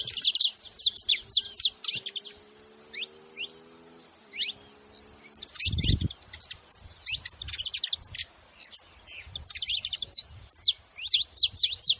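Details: Saffron finches calling: many high, sharp downward chirps in dense bursts, often several at once, suggesting more than one bird; a faint low hum runs between two and five seconds and a brief thump near six seconds.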